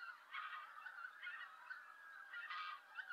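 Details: Greater White-fronted Geese in Japan in November, calling noisily as they fly in to roost alongside roosting harriers; overlapping high honking calls, several per second, rising and falling in bursts.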